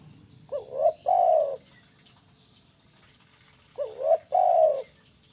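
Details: Kuk 1 style call of a spotted dove, played to lure birds; two phrases about three seconds apart, each a quick rising double note followed by a drawn-out mellow coo, with a thin constant high tone behind.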